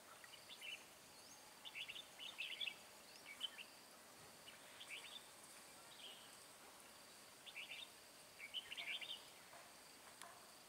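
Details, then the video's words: Red-whiskered bulbul singing during a late-afternoon trapping session on 10 March 2020: short bright warbled phrases, chirpy and slightly rising, delivered in bursts roughly every one to two seconds over a steady faint background hiss. "Bẫy chào mào Chiều muộn bổi HB"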